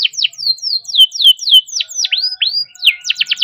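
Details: Canary delivering rapid-fire song meant to coax other canaries into singing: a string of swooping down-slurred whistles, a few rising sweeps, then a burst of quick sharp chips.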